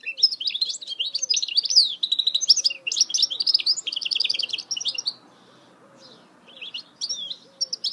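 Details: Goldfinch hybrid (mule) in song, a dense, fast run of high, chattering twitters and trills lasting five seconds, then a pause and a few scattered chirps; a faint, low, pulsing tone repeats underneath.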